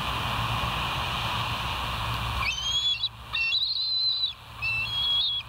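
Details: Bald eagles at West End, filmed by a live nature cam on July 14, 2023: after steady background hiss, high thin whistled notes start midway, several short rising and level pipings in quick succession.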